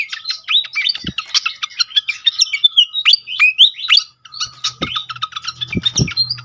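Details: Malaysian pied fantail song, used to stimulate other fantails: a fast unbroken chatter of squeaky, high chirps and short twittered notes, with a faint steady whine and a few dull knocks underneath.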